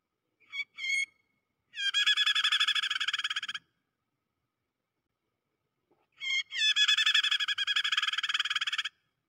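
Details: A prinia (prenjak) gives a few sharp chirps, then two long bursts of rapid, harsh, buzzy rattling, each about two seconds, separated by silence; a "prenjak kejepit" lure call used for bird trapping.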